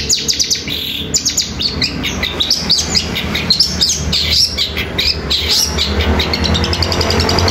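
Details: Long-tailed shrike singing sparrow-fighting notes combined with nature material, rapid and unbroken: dense bursts of high scratchy chirps and short twittering notes, with a constant low hum behind.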